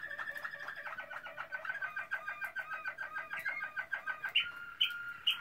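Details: Waterslager (Malinois) canary song from 2016, a rapid bubbling, pulsed tour of evenly spaced notes that ends in a held tone with a few bright high accents.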